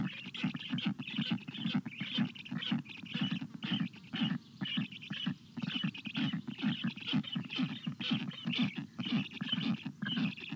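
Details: Storklets of the black stork beg for water during hot weather, June 25 2022, as an adult brings a shower. Rhythmic rasping bursts recur roughly twice per second in uneven runs with short pauses between.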